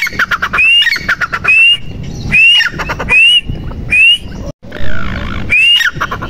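Francolin giving loud, harsh, grating calls, each topped by a rising whistled note, repeated about every one and a half seconds.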